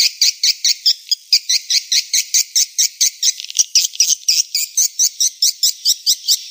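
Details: Swiftlet lure sound intended to attract swiftlets: a steady series of short, very high, bright chirps, about two per second, fairly regular, over a faint continuous high hiss.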